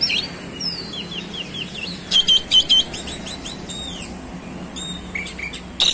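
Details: Oriental magpie-robin delivering soft slurred whistles, then a short burst of three loud sharp notes and scattered quiet chirps, part of a busy 'roll speed' song showing off fills against steady low noise.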